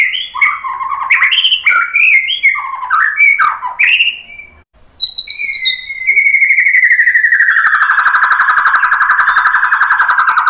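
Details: Song of a White-rumped shama used to goad other birds into singing: quick varied whistled phrases, a short pause, then a long buzzy pulsing note that slowly falls in pitch over four seconds.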